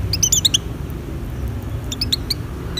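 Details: Oriental white-eye in breeding condition, sung to lure other white-eyes: scattered high thin chirps and short rising-falling notes in brief bursts over a steady low rumble of traffic.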